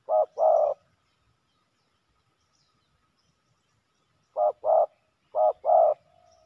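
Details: Fighting male spotted doves at a ground decoy: two pairs of soft low coos, a short note then a longer one, separated by several seconds of quiet.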